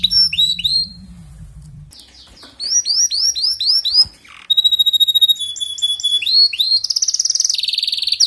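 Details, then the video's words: Canary song intended to get a weak singer going: repeated rising whistles, a pause, a burst of sweeping chirps, a steady thin whistle, then a fast fluttering trill to the end. "إذا لديك كناري ضعيف في تغريد سمعه هذا الغناء وشاهد الكناري ماذا يفعل"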